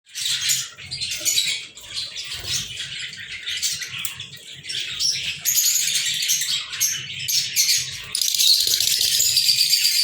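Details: Several pet lovebirds recorded on 14 February 2023 give dense, overlapping high chirps and squeaks in a continuous chatter, with a fluttering, rattling edge and a low steady hum underneath.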